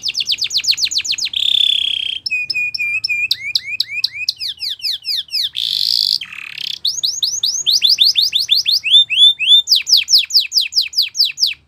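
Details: Spanish Timbrado canary training song: varied passages of rapid descending trills, a held whistled tone, short steady notes, and bursts of fast repeated sweeps, loud and close in a quiet setting.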